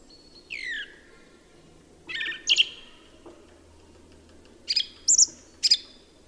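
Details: A song thrush sings a soft falling note, then a louder double phrase, and later three sharp high notes spaced about half a second apart.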